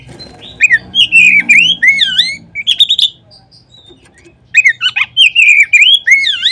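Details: Oriental magpie-robin song played as a lure to stimulate other kacer. Two bursts of loud, varied whistles, each looping up and down with crisp high notes, separated by about a second and a half of near silence.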